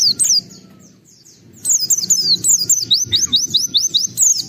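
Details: Oriental white-eye singing a varied, busy song used to provoke other white-eyes into singing: high thin chirps and rapid upward-sweeping whistled notes repeated in quick runs after a short quiet pause.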